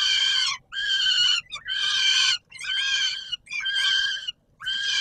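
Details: Loud rasping cries from peregrine falcons at supper on Warsaw's Palace of Culture and Science, 17 July 2022, roughly one harsh scream per second with small stuttered notes between them.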